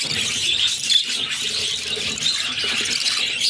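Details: Budgerigar chicks begging during feeding by their mother: a constant thin, high wheezing squeal from the brood of six, with faint scratchy squeaks layered in.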